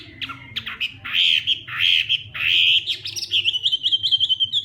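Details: Hwamei fighting song in the morning, practised as voice training: harsh, buzzy bursts at the start give way to a run of rapid, evenly repeated whistled notes.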